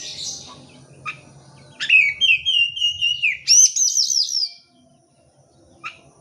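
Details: Lure song of the oriental magpie-robin for birds reluctant to sing: faint warbles, then a sudden loud burst of whistled notes gliding downward, a bright high looping trill, and a brief note near the end.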